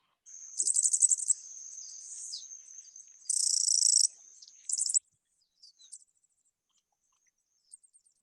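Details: Yellow-faced Grassquit at a seed station in Cuba, a chatty bird, gives very high, thin, buzzy trills in quick bursts, almost insect-like, with a few faint chips after.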